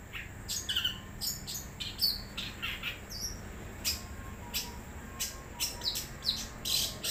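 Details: Wild long-tailed shrike in varied song, alternating scratchy broadband bursts with short downslurred whistles and chirps at an uneven pace, some notes louder and closer, against a faint steady hiss.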